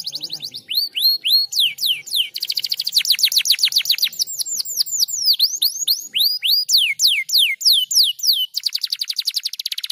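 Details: Canary song meant to stimulate other canaries to sing: fast runs of high, downward-sweeping whistled notes repeated in rapid trills, switching between tours with brief breaks.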